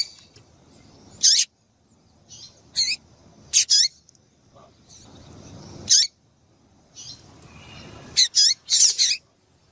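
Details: Female double-collared seedeater piado for exciting males: scattered sharp high chirps, some in pairs or triplets, with quieter softer notes between and a low background rumble.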